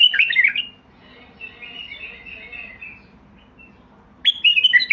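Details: Basrawi bulbul song: a vigorous warbling phrase, a drawn-out softer chattering passage, then another loud burst of quick whistled notes.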